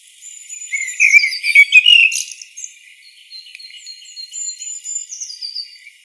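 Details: Song of a common blackbird: a loud, busy burst of twittering, slurred notes, then quieter high whistled tones drawn out and gently falling over several seconds, in a clean recording.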